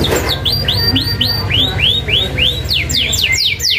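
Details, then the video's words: Canary in full song used as a tutor recording with sharp rolling trills: a run of arched whistled notes repeated about four times a second, then a series of fast descending sweeps, over a steady low hum. "Kenari Gacor isian ngerol tajam MASTERAN ampuh Kenari Bahan nyaut ❗️canary birdsong"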